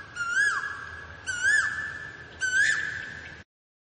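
Asian koel giving three loud, rising whistled notes about a second apart, over a steady high background hum.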